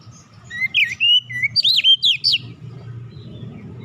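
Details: Relaxed Oriental magpie-robin singing, used as a lure to get young birds singing fast: a quick burst of bright whistled slurs and twisting high notes lasting about two seconds, then a low rumbling hum continues alone.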